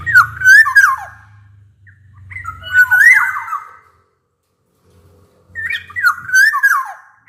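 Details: Black-naped oriole in full loud song, the kind played to coax reluctant orioles into singing: three bursts of fluty, slurred whistles separated by pauses of a second or more, over a faint low hum.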